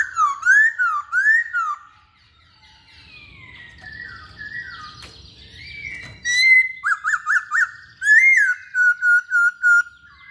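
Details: Masked laughingthrush, locally named poksay hongkong, a caged bird singing energetically: looping rising-falling whistles, a quieter middle stretch, then bursts of quick repeated notes and a trilled whistled ending.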